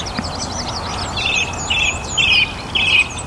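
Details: Song thrush singing at the end of a warm, sunny spring day in a North Antrim garden during the evening chorus: one bright, clipped phrase repeated four times about every half second, with thin high notes from other birds behind.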